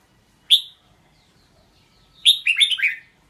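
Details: Red-whiskered bulbul utters a lone sharp note, pauses nearly two seconds, then sings a quick phrase of four or five rolling, descending whistles.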